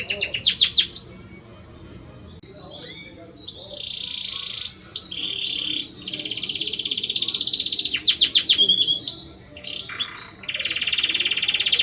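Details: Male Belgian canary singing for his mate: chirp series and a long stretch of alternating buzzy rolls at different pitches, with whistled slides between.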